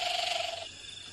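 A barking owl gives a single steady, mid-pitched, slightly rough note lasting just over half a second, followed by faint background hiss.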